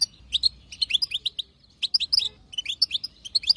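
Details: A wild-caught female European goldfinch chatters in quick bursts of bright, tinkling twitters and short liquid notes, pausing briefly between runs, with no other sounds; a call played to stimulate male goldfinches to sing.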